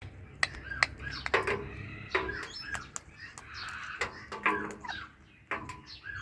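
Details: Pet Indian ringneck parakeet, sharing the scene with an Alexandrine parakeet, making happy sounds while eating guava; short harsh chirps and squawky notes come in irregular bursts, with scattered sharp clicks and a quiet indoor background.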